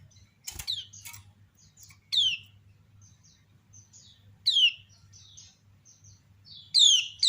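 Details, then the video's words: Ciak call of a female kecial kuning, the white-eye known as pleci lombok, prompting other birds to answer: sharp falling chirps spaced two to three seconds apart, with a couple of clicks and soft chatter. "Ciak Betina Burung Kecial Kuning Memancing Bunyi Banyak Kecial lain Nyaut"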